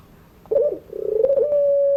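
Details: Barbary dove (puter pelung) calling in the afternoon: a short rolling, throaty coo, then a stuttering run of notes that settles into a long, steady drawn-out tone held to the end.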